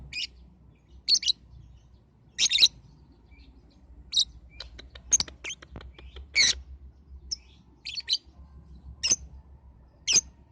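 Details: Lovebird lure sound suited to balibu young lovebirds: repeated shrill, harsh chirps every one to two seconds mixed with short ticking runs, over a faint low hum.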